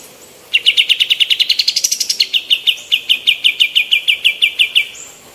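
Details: Eager female white-eared bulbul used as a tutor recording for other birds: a long run of some thirty rapid chattering notes that briefly climb higher and faster in the middle, then settle back into an even, steady rhythm.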